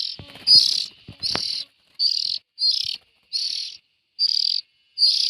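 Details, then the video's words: Young bulbul calls: hoarse, hissing bursts repeated about every second, with a few faint clicks and taps early on. "Tiếng chim chèo non.suab mi nyuam noog siv txaij"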